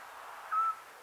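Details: At night in Cappadocia, Turkey, a Eurasian scops owl gives one short, pure, steady whistled note, mid-pitched and flat, over a soft background hiss.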